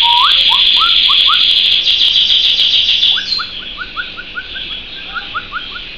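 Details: Pet canary singing a continuous high rolling trill, with a series of short upward-sweeping whistled notes repeated rapidly, several per second, underneath.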